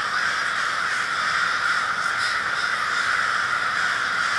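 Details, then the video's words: Minneapolis crows gathered as a murder on February 20, 2020, giving a constant clamour of scratchy overlapping caws, a couple of slightly sharper calls standing out near the middle. "A Murder of Crows"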